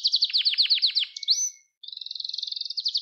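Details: Canary song for teaching young canaries: rapid falling trill notes, an upswept whistle, a brief silence, then a fast buzzy rolling trill.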